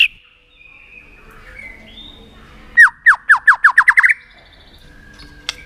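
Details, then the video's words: White-rumped shama, tail-flicking with 'tạch' sounds to spur a shama into contest song; faint thin whistles, then about nine loud descending whistled notes in a quick accelerating series. "Chòe lửa tạch đập đuôi kích thích lửa lên lửa rất nhanh kích chim hót đấu hiệu quả"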